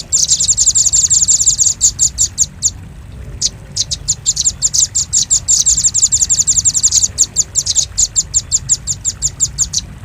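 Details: Used as a lure for catching birds, velvet-fronted nuthatch notes: dense, rapid trills of high, sharp chips in several bursts broken by brief silences, over a low steady hum.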